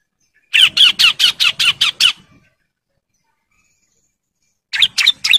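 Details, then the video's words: Singing to attract females, a male bar-winged prinia in breeding condition delivers a phrase of seven loud, evenly spaced, sharp chirps, then a long silence before a new phrase starts. "CIBLEK JANTAN BIRAHI GACOR NGEBREN MANGGIL BETINA KOLONI"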